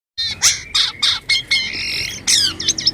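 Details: Harsh, strange-sounding song of a white-vented myna: a series of grating squawks and buzzy notes in short bursts, ending with twangy whistled phrases.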